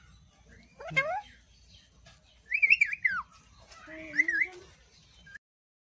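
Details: Angry pet parrot talking, producing three separated phrases of wavering, whistled, speech-like sounds that bend up and down, each about half a second long, with quiet gaps between.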